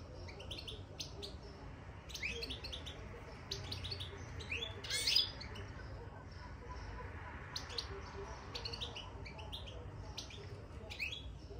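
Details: Caged European goldfinch twittering after entering the cage: scattered high chirps and buzzy trills in short groups, one louder rasping burst midway, over soft indoor background noise.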